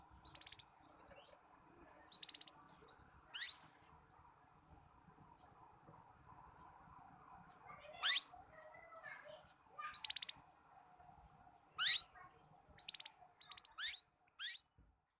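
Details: Juvenile canary learning to sing, producing broken, disjointed song: scattered short trills and sharp upward-sweeping chirps at irregular intervals, some bursts closely grouped near the end, over faint low background noise.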